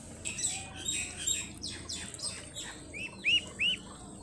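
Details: A brood of baby ducklings playing and exploring: high, thin peeps sweeping sharply downward in a quick irregular run, ending with two louder arched, rising-then-falling peeps.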